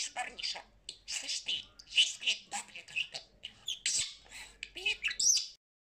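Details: Talking parrot kept as a pet delivers fast chattering word sounds, ending on a sharp high squeak before falling silent.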